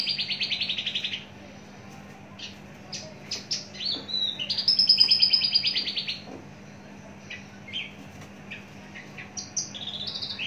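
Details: A caged, long-kept adult Javan bush lark with a very large body opens with a buzzy trill. Scattered sharp chips follow, then a long rattling high trill, then sparse clipped notes and slurs over a steady low hum.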